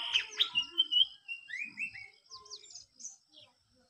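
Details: White-throated fantail singing a quick run of high, sweet whistled notes that step up and down in pitch, with fainter lower sounds in the background.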